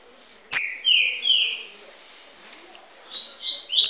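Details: Double-collared seedeater song for training: a sharp high note, then two slurred whistles falling and rising, a pause, then a run of quick rising whistled notes.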